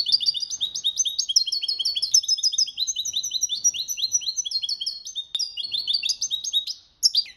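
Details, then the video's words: Goldfinch performing the copia Malaga style of song used for training: a fast, continuous cascade of bright, high, down-slurred twitters and trills, ending after a brief gap with a few louder notes. "Jilguero Cantando la copia malaga _ Goldfinch bird singing the wonderful sounds for training songs"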